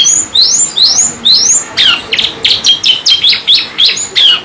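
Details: Canary singing in the energetic 'gacor ngerol nembak' manner: three long upward-sweeping whistles, then a series of clipped, descending chirps in a regular pulsing rhythm.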